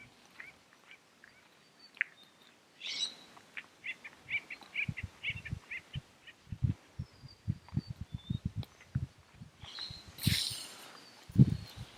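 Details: Acorn woodpeckers in oak savannah at Henry Coe State Park, April 2021, where flocks of about a dozen chatter back and forth: quick, nasal, laughing notes in a see-sawing chatter, with low thumps and rustling underneath.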